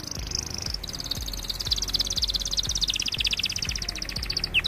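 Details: Canary singing over the hum and regular thumps of an aquarium pump, a long high buzzy trill of rapid repeated notes that drops slightly in pitch near the end.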